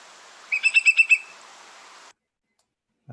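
A Whimbrel gives its rapid titter: about six clear, even-pitched whistled notes in under a second, over a steady hiss, with a voice starting at the end.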